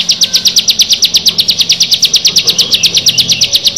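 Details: Bar-winged prinia, one of six birds, producing a quick regular ticking trill of high sharp notes, close to three per second... repeated steadily, with a soft low hum behind.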